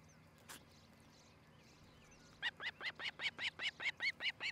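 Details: Osprey at a nest in Charlo, Montana, recorded by nest cam on a July 2018 morning: quiet background with distant birds, then a steady series of a dozen piercing whistled cheeps.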